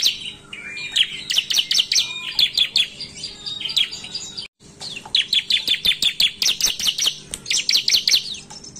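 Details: Loud 'gacor narung' song of a bar-winged prinia (ciblek), used as a lure recording: rapid strings of piercing high chirps, varied and slightly buzzy, pausing at a short silent gap.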